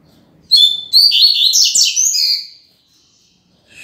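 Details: A Double-collared Seedeater (coleiro), a singer still in strong form as the moult season begins, gives a rapid, high, twittering phrase of bright chirps and trills lasting about two seconds, loud and clear against a quiet room.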